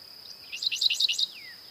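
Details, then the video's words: A Dickcissel sings a quick burst of about six sharp, high chirped notes, ending in a thin downslurred note, over a steady high insect-like hum. "Dickcissel Bird Song"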